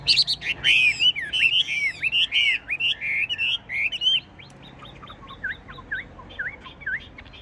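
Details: Caged tame Chinese hwamei in full song: a dense, loud burst of curling whistles layered with high thin notes, then a quieter series of separate upslurred whistles spaced about half a second apart.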